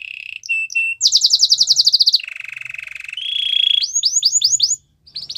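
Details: A white canary's training song moves through contrasting tours. Brief chips open into a rapid high trill, then a lower buzzing rattle and a steady whistled note, before a string of looping upward-curling notes, a short pause and another trill.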